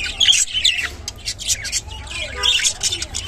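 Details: Rainbow budgerigar squawks and chirps in two loud scratchy bursts separated by softer twittering, with short harsh squeaky notes.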